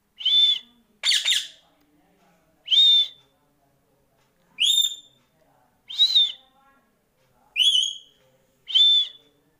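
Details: Pet Indian ringneck parrot whistling indoors: seven short, bright, slightly harsh whistled notes, some rising or bending at the end, spaced roughly one to one and a half seconds apart, with quiet gaps between them.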